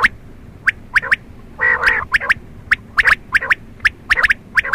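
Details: Quail at night giving a rapid run of short, sharp, high notes, often in pairs or threes, broken by one loud buzzy, growling burst early on, with faint background hiss.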